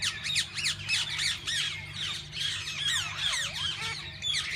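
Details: Parakeets of several kinds in a walk-in aviary at a parrot zoo, where visitors feed and hold them: a dense, continuous chorus of chattering squawks and rapid rising and falling chirps from many birds, over a steady low hum.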